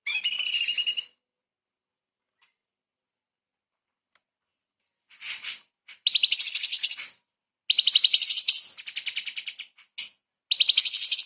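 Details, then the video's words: Light-vented bulbul (cucak cungkok) singing 'tembakan' bursts mixed with small-bird phrases, recorded to tutor shamas and magpie-robins; an opening high trill, a long silence, then several quick shrill chattering runs and short notes. "CUCAK CUNGKOK SUPER GACOR ! Full Isian TEMBAKAN ISTIMEWA BURUNG KECIL"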